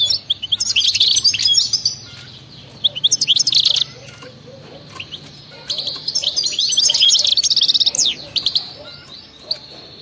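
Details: European goldfinch of wild stock singing energetically: repeated bursts of fast, chattering twitters and sweet tinkling trills, with brief quiet spells between phrases.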